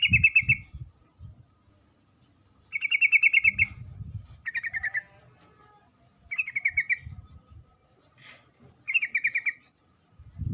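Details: Sooty-headed bulbul, a female, calling the male. Five chattering bursts of rapid, evenly spaced notes come roughly every two seconds, with some low thumping noise in between.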